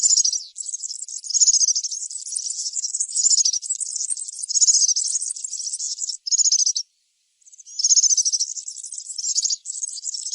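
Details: Singing in the wild, a European serin pours out an almost unbroken, high, sizzling and tinkling trill song for about ten seconds, with a single brief pause.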